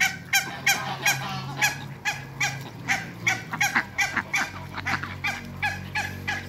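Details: Two pairs of African geese meeting Muscovy ducks give hoarse, blaring honks in a rapid, irregular series. The calls overlap one another and sit over a low background hum.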